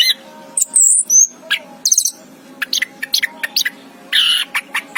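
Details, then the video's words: Orange-headed thrush (anis kembang) giving scattered high whistles, quick buzzy chirps and clicking notes with pauses between bursts, over a low constant hum. "chirping of the anis kembang bird"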